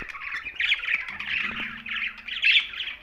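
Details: Budgerigars chirping, a dense run of scratchy warbled chirps and squawks with little pause, with a faint low steady hum running underneath.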